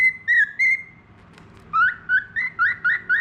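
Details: Tame budgerigar, described as a clever, very vocal bird skilled at whistling, gives a long clear whistle, then after a pause a run of short upslurred whistled notes, about six in quick succession.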